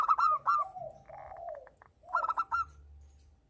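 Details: Local zebra dove in breeding condition, calling back and forth with a female: a quick burst of staccato, bubbling coos, then lower, softer, descending coos, and a second rapid cooing burst near the end.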